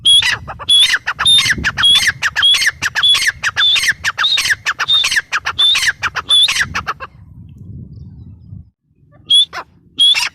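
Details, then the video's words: Grey francolin, known locally as teetar, giving a loud, harsh, squawking series of rapidly repeated ringing notes for about seven seconds, a pause with low rumbling background noise, then two more notes near the end. "Teetar ki awaz | gray paryridge sound | francolin voice"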